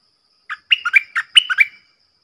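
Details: Decoy stripe-throated bulbul, kept to train young birds and attract wild birds, delivering one short phrase of six or seven liquid, warbled notes that rise and fall, loud and clean against silence.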